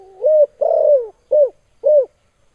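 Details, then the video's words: Spotted dove giving a strong, sharp call used for training or competing: four mellow cooing notes, the second long and drawn out, the others short and slightly falling, spaced about half a second apart in a quiet setting. "Suara Burung Tekukur Suara TAJAM Menembus JANTUNG LAWAN"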